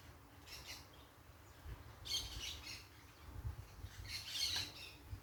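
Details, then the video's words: Noisy parakeets outdoors in nature give a faint early squeal, then two loud, rasping screech bursts about two seconds apart, over a constant low background hum. "som da natureza com periquitos fazendo barulho"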